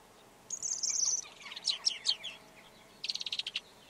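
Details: Red-backed shrike song with a sustained high thin whistle, then a few squeaky slurred notes and a short, fast rattling burst.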